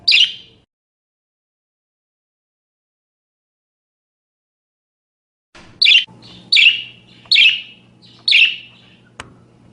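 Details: Pet budgerigar chirping, recorded for training other songbirds: a single harsh chirp, a long silence, then four buzzy chirps in quick succession with a low hum and a click at the end.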